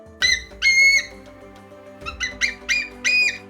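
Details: A captive female bald eagle that cannot fly properly, at a wildlife centre in southwest Illinois, 31 March 2021 around 11 am, gives high, thin piping: two drawn-out whistles, then a quicker run of five chittering calls, over a faint low hum.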